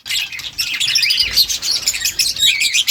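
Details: Rose-ringed parakeet eating green leaves; dense, continuous rapid chirping and twittering fills the whole stretch, high and scratchy with no pauses.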